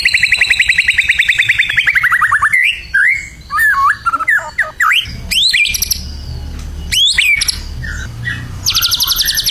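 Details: Burung batu in full, vigorous (gacor) champion song: a long rapid descending trill, then loud varied whistled swoops and sharp squawks, closing with a fast high buzzy rattle.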